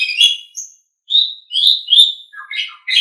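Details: Asian pied starling (jalak suren) tutor song for caged birds: a chatter, then a short pause, then drawn-out whistled notes and lower squeaky phrases.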